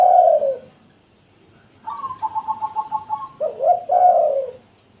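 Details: Spotted dove giving the 'kuk satu' style call, a real recording meant as a lure for wild doves: a low mellow coo, then a rapid bubbling run of eight short notes, ending in a fuller, rolling coo.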